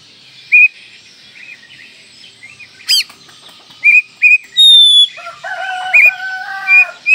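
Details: Oriental magpie-robin (kacer) singing for masteran: short clear whistles spaced about a second apart, a rasping burst, a long rising whistle, then a rich run of varied warbled, layered phrases.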